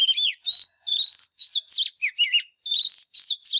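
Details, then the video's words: White-rumped shama used as a lure to train caged songbirds: clear, loud whistled notes, some rising and some looping, delivered in a lively stream of short phrases with tiny gaps between them. "Chòe than mồi # Chòe than mồi Hót đấu CHIM RỪNG || Luyện giọng chòe than hót"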